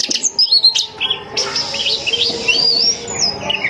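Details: Female Oriental magpie-robin calling to lure males, kept at home; a loud, varied run of clear whistled phrases, sweeping slurs and sharp chirps, continuous and rich, with a low steady hum underneath.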